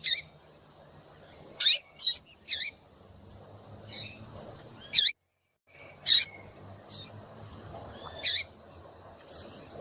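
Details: Female double-collared seedeater (coleiro) calling to stir a male into singing in the tui tui style: short, sharp, high chirps, singly or in quick pairs, about nine in ten seconds at irregular gaps, over a faint low background hum.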